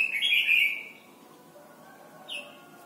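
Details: Thai Red-whiskered bulbul song meant for teaching young birds to sing: one rich, rolling warbled phrase at the start, then quiet, then a single short downslurred note.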